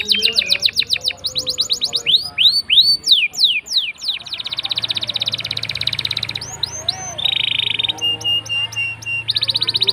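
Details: Canary in full long rolling song, used as a lure to prompt silent canaries to sing: rapid high trills of repeated notes, sweeping downward slurs, sustained buzzy rolls and steady ticking series, continuous and varied.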